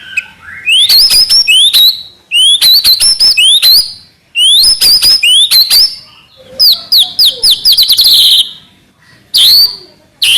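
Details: White-rumped shama in trotol gacor song: repeated phrases of sharp upslurred whistles, each phrase lasting one to two seconds, then a dense rattle of rapid notes and isolated bright calls.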